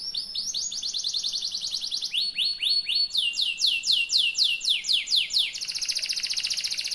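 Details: Yellow canary in long rolling song: rapid trills of high, downward-sweeping notes, about four per second, shifting through several pitch levels before ending in a dense buzzy trill.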